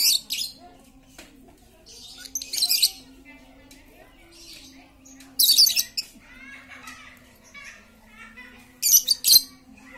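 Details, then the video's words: Very chatty lovebird lure for quiet lovebirds: four harsh, scratchy high bursts a few seconds apart, with softer twittering between them over a faint steady hum. "Pancingan Lovebird super cerewet untuk memancing Lovebird diam jadi fikter"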